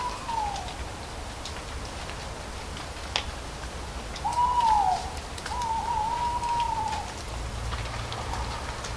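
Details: Owl hooting amid falling leaves, recorded almost a decade ago: three mid-pitched, steady tonal hoots, each slightly wavering then dropping at the end, with scattered soft crackles and ticks of leaves landing.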